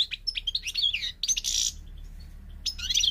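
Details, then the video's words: European goldfinch, parva subspecies, from Morocco in North Africa: quick liquid twitters, a harsh buzzy burst, a pause, then more bright twittering, over a noticeable low hum. "The Goldfinch's Song North Africa - Parva Morocco Bird Song"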